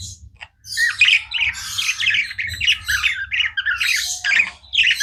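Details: Tame budgies give a continuous run of rasping, squawky chirps and warbles, rising in loudness after a short quiet start and running almost without a break.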